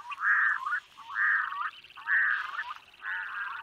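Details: A Black-throated Loon (Gavia arctica), recorded in Lithuania, gives four mid-pitched, slightly wavering calls, each about three-quarters of a second long, repeated roughly once a second with no other sounds.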